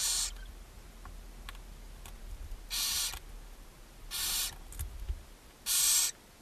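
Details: Barn owls at a nest box on a chimney in Ságvár, Hungary, on May 4, 2024, as the mother feeds her seven owlets. Four long, harsh, broadband hisses about a second apart, with faint scratching and rustling between them.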